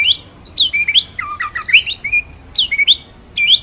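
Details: Master song of a white-rumped shama in the rolling 'ngeroll nembak' style, meant for training other birds: quick jumbled phrases of rising and falling whistles and sharp ticks, loud and busy.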